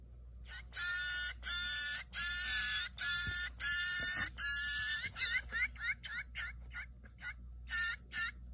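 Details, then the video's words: A hand-raised baby Blue Jay being fed gives harsh, buzzy, rasping begging calls, first long and steady, then shorter upward-slurred notes in quick succession, over a faint low hum. "Feeding Baby Blue Jay"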